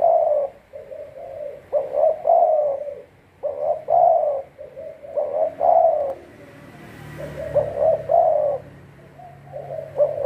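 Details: Decoy spotted dove used for trapping gives a steady series of hoarse cooing phrases. Short coos lead into longer, slightly falling coos, repeated every two seconds or so, with a faint hiss in the background.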